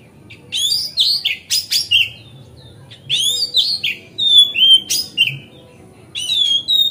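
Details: Oriental magpie-robin in relaxed, nonstop song meant to prompt other magpie-robins to open their tails; varied phrases of bright whistles, rising and falling slurs and harsh chirps, repeated in bursts with brief gaps, over a faint low hum.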